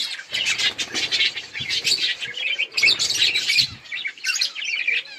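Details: Budgerigars eating and playing, giving a busy stream of chirps, rapid scratchy warbles and bright whistled notes from several birds at once, barely pausing.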